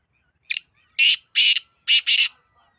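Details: Black francolin (kala teetar) call: a short sharp note followed by four loud, harsh, grating notes, the last two run together, in one quick phrase against a quiet background.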